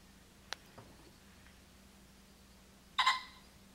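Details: A tame wild male common pheasant with long tail feathers, on a ranch in July, squawking repeatedly for about 20 minutes, gives one loud, harsh squawk near the end after faint clicks and a low hum; another rooster squawks far off.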